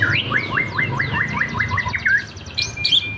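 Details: White-rumped shama, a champion bird tested by being placed low on a roadside, delivers a fast run of about ten similar descending whistled notes, then a thin high whistle, over low street noise.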